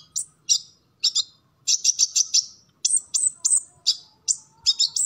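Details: Sunbird singing in captivity, a training recording of loud, sharp, very high chirps delivered singly and in tight clusters with short silences between.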